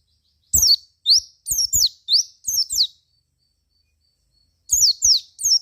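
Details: Javan white-eye song for luring other white-eyes to respond: high, thin chirps in quick succession, some rising and some falling, a short pause, then another brief run of chirps.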